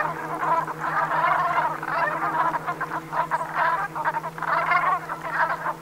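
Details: Brent geese flock in the Gulf of Morbihan, Brittany, at sunset on 7 November 2021: loud gargling, rolling calls massed together in waves, with a clear low humming line beneath.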